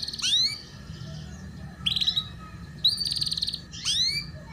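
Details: Canary song for tutoring young canaries in the ngeriwik style: four separate phrases, each combining a rising whistled sweep with a buzzy rolling trill, spaced by short pauses.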